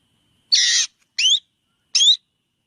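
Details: A black drongo gives a long harsh rasp followed by two sharp upswept whistled notes.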